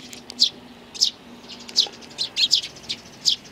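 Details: Sparrows, among them a bald-headed bird and a nestling, on 8 May 2019: sharp high chirps roughly every half second, sometimes paired, against a quiet low background hum.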